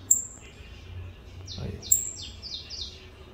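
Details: Saffron finch of the mineirinho type, freshly out of moult, sings a short high phrase of rapidly repeated falling notes, preceded by a sharp thin whistle.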